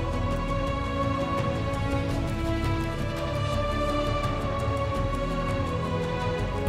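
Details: Sustained, dark orchestral music with low droning tones fills the passage, with no animal calls heard.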